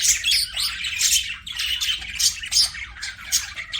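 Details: Budgies kept as pets chattering together, a continuous stream of harsh, high, scratchy notes and bright chirps in uneven bursts, several birds overlapping.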